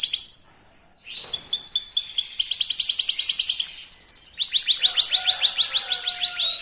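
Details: Young local canary singing fast to provoke other canaries to sing: after a short pause come rapid high trills and rolls of repeated notes, ending in a long even trill of sweeping notes.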